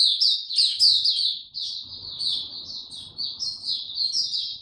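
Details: Caged white-eye in full song: a rapid, unbroken stream of high twittering and warbled notes with short sliding phrases, over a faint low rumble of background noise.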